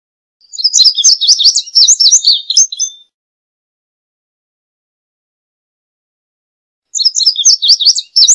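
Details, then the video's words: Long indigo bunting strophe of about 2.5 seconds, high doubled chirps and buzzy slurs tumbling together, followed after a four-second pause by the start of another song. "Azulejo Indigo Canto! Llamado! Sonido! Cantando! - Indigo Bunting Song - Passerina Cyanea"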